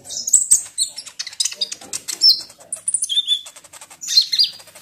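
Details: Sunda pygmy woodpecker, kolibri ninja, played to trigger singing: a dense, fast twitter of high, thin notes with short whistled slurs mixed in, continuous throughout.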